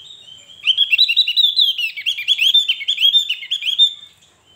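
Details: Javan grey-throated white-eye singing: a rapid, continuous twittering run of high chirps and short warbled notes, closely packed for about three seconds, steady in pitch with bright overtones, clean and without other sounds.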